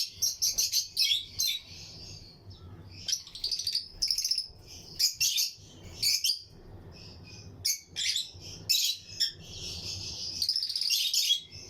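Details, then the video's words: A colony aviary of lutino lovebirds, among other birds, fills the air with busy bursts of shrill chirps and twittering. The bursts come in clumps separated by brief quiet gaps. "Lutino Lovebirds Breeding Colony Cage - Chirping and Relaxing Sound"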